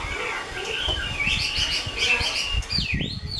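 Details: Chinese hwamei, a caged bird, singing a continuous run of rich, varied whistled phrases with quick up-and-down slurs, mixed with low thumping background noise.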